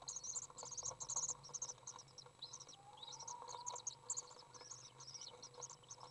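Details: Begging from three young common swifts fed inside a nest box, June 15th 2011: clustered shrill, high chirping trills in short bursts, a brief rising lower tone midway, faint hum behind.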